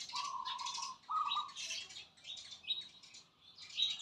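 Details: Several birds calling at once: bursts of high chirping and twittering alternate with two level, sustained lower whistles near the start.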